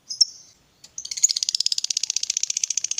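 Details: Fighter-type lovebird in 'gacor' form, used as a lure to get a quiet lovebird singing: a brief high chirp, a pause, then a long, fast, buzzy chattering 'ngekek' trill of evenly repeated high pulses.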